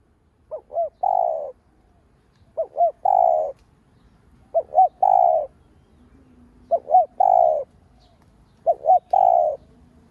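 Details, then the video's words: Spotted dove calling as a lure to prompt other doves: five repeated phrases about every two seconds, each two quick hollow notes then a longer steady coo, with faint low hum between phrases. "Cu gáy mồi cây gáy gọi thúc ,gù bổi hay. tiếng cu gáy mồi cây kích bổi hiệu quả, cu đất gáy"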